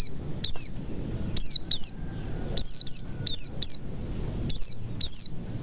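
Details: Lure sound of a white-eye for making other white-eyes start singing: rapid, shrill, downward-sweeping chirps in single and double notes, irregularly spaced about every half to one second, over a quiet low hum.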